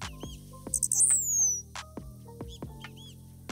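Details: Blue-black Grassquit from Morelos, Mexico, a bird of open grassland that often sings while jumping up from an exposed perch. A very simple, high song: three short pulse-like notes, then a longer descending note, over loud rhythmic background music.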